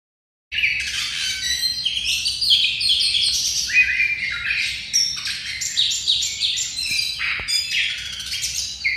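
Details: Oriental magpie-robin (kacer), poci type in ngobra style, singing a contest-winning master song used for bird-song contests: dense, fast run of varied chirps, sharp whistles and rattling notes, continuous and loud over a faint low hum.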